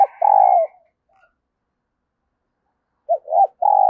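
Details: Decoy spotted dove giving its urging and crowing coos to call new wild birds: low, mellow hooted notes, a short coo then a long sustained one, a pause of over two seconds, then another quick three-part phrase.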